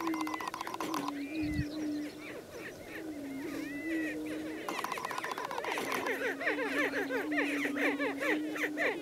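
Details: A male greater prairie-chicken displays at a lek: a low, steady, hollow moaning boom underneath, with a busy chorus of higher whoops and cackles from several birds over it.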